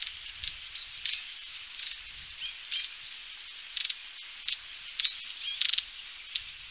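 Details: Xantus's hummingbird (Basilinna xantusii), call.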